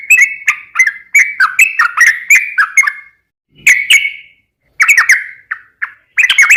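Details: Yellow-vented bulbul lure song with vigorous delivery: three seconds of rapid bubbly chirping, then short bursts of slurred whistles broken by silent gaps, before a final fast flurry.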